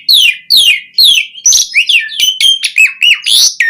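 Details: Asian pied starling singing loudly: a series of downward-slurred whistles about twice a second, then a quicker jumble of varied sharp whistles, clicks and squeaky notes.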